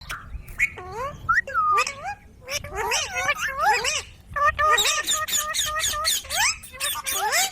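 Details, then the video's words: Pet ringneck parrot talking, a rapid run of harmonic, speech-like syllables with swooping rising and falling tones, broken by brief gaps and sharp clicks, in quiet indoor surroundings. "Parrot Talking |Ringneck parrot sound"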